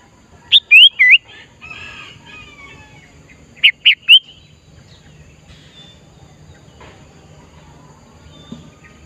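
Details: A sooty-headed bulbul heard in the wild gives two short bursts of bright, bubbly whistled notes, three quick phrases each, separated by a few seconds of quiet background.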